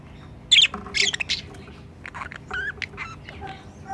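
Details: Budgerigar, likely a breeding pair, beside their nest box in an aviary: harsh, scratchy squawks, then a run of quick, twangy rising and falling chirps, with a faint low background hum.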